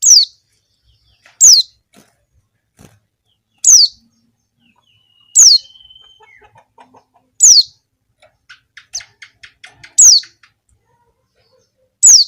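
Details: Female Javan white-eye calling to draw males, recorded as a lure for wild white-eyes: a steady series of high, sharply descending chirps every one to two seconds, interspersed with faint rapid ticking notes.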